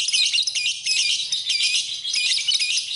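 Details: Masteran lovebird song: a short burst of loud, high, squeaky chatter with quick wavering notes and slight surges in volume.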